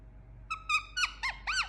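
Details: Quick run of five squeaky, harmonic squawks from an Indian ringneck parakeet, the later notes arching up and then sliding down in pitch, over a faint low hum.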